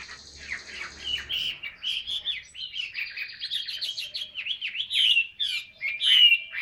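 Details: Chinese hwamei in captivity, labelled 'ngũ trường cao cầu', singing a busy mix of buzzy notes, fast chattering and loud clear whistled slurs that build toward the end.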